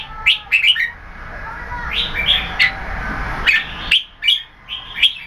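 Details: Red-whiskered bulbul (jambul), keke competition singer with growing tail feathers; clipped whistled notes in quick bursts, separated by pauses, some rising sharply.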